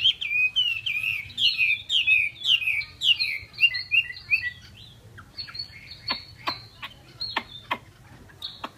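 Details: Chinese hwamei song: a run of fluent, rolling whistled phrases that sweep down and up for about five seconds. Sharp clicking taps and a few thin high notes follow.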